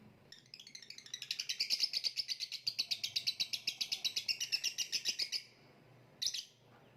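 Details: Lovebird singing, competition-style kicau: a rapid series of high chattering notes repeated about three times a second for four seconds, rising then steady, followed by a pause and one short final burst.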